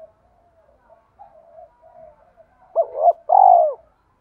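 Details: Spotted dove's combative song for luring a wild rival to the perch, in the 'gáy gọi hai hậu' style. Quiet broken murmurs, then two loud hooked coos and a strong buzzy drawn-out closing note.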